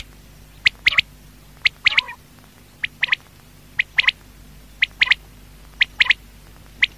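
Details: Quail at night, a batair, giving repeated short sharp high notes in pairs and triplets roughly once a second against a faint low hum.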